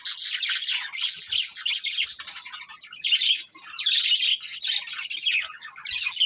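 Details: Budgerigar breeding pair chirping: busy high-pitched chatter of rapid squeaks, buzzy notes and twitters in bursts with brief dips between them.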